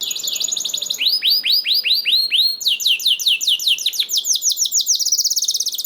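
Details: Canary sings to lure other canaries into song: a high buzzy trill, slower loud descending whistles, then fast repeated sweeps ending in a dense high rattle.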